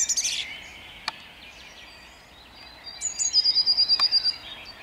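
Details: Dawn song of a song thrush at Jabłonna on 29 April 2021: a loud opening phrase, a quiet gap with a single click, then a rapid series of repeated shrill notes repeated roughly ten times.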